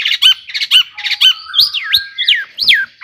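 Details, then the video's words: Long-tailed shrike, a singing cendet used as a lure to excite other shrikes, in a rich mimicking song: harsh squawky notes followed by loud whistled swoops rising then falling, a varied jumble of phrases. "kicauan Cendet Gacor AMPUH ISIAN MEWAH JUARA COCOK buat pancingan CENDET agar NAIK EMOSI JADI GACOR"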